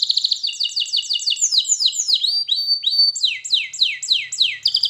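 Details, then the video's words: Loud canary training song made of repeated descending slurred whistles, a few clear sustained notes in the middle, then more falling swoops and a fast trill. "Canary Singing Birds Sounds at its best Melodies Canary Bird song Training"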